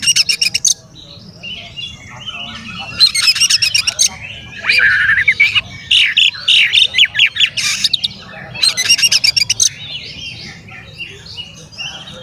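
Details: Oriental magpie-robin in vigorous song, intended to provoke other magpie-robins: long sequences of rapid, harsh, high-pitched rattles and scratchy warbles, repeated in dense bursts with little pause, faint birds behind.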